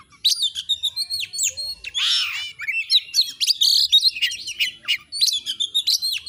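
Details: Oriental magpie-robin pouring out a dense, continuous song of harsh rasping notes, quick chips and bright whistled slurs with almost no gaps.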